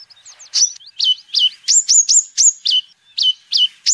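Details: Sunbird known locally as kolibri ninja, in full song as a tutor and lure recording: a quick series of high, sharply down-slurred whistled notes repeated about every third of a second, preceded by faint twittering.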